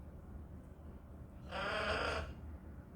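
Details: Pet parrot producing an odd noise: one wavering, bleat-like harmonic squawk lasting under a second after quiet, with faint room hum around it.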